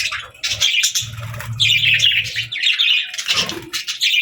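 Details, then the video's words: Contented pet budgies eating their favorite food keep up a continuous, bright, scratchy chatter and warble, with soft low knocking underneath. "Happy Budgie Sounds | Budgies Chirping & Eating Sounds"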